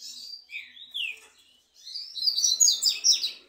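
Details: Two green-winged saltators in a singing duel: rich slurred whistles, then a dense burst of bright, scratchy, overlapping phrases high in pitch.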